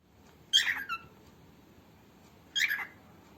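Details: Female cockatiel, recorded for training other cockatiels, gives two short harsh calls about two seconds apart, each a burst of scratchy chirps with quiet room noise between them.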